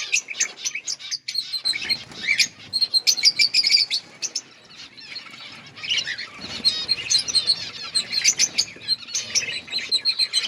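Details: Budgerigars chirping in an outdoor breeding colony: dense, overlapping high chatter and warbled notes from many birds, with bursts of wing flapping and short quieter pauses.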